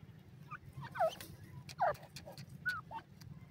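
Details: Francolin calling: a few hoarse, downward-sliding notes given roughly once a second, each a short strained squeal, with quieter clicks and rustling between them.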